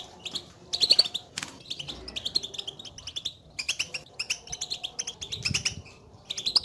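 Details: European goldfinch contact calls, the chirping goldfinches use to call one another and signal their presence, played to stir a caged goldfinch into singing; dense bright twittering chirps in quick bursts, several overlapping, with brief louder clusters.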